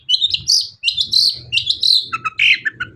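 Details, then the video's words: Prompting song of a long-tailed shrike, meant to get other shrikes singing: continuous scratchy, buzzy warbling in overlapping phrases with rough chattering, then short falling notes near the end, over a low murmur. "CENDET GACOR SUARA AMPUH..! pancingan burung cendet paling dicari"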